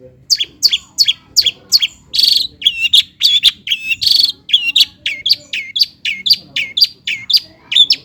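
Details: Lure song of a long-tailed shrike for stirring lazy birds into full song: a dense, continuous run of piercing chirps mixing sharp downstrokes with buzzier, wavering notes, barely pausing.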